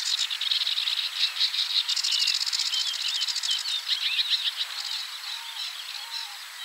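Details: Sedge warbler singing at 53.286 N, 22.609 E: a fast, continuous chattering song of scratchy notes, buzzy rattles and short whistled trills, delivered without pause for nearly seven seconds and fading slightly toward the end.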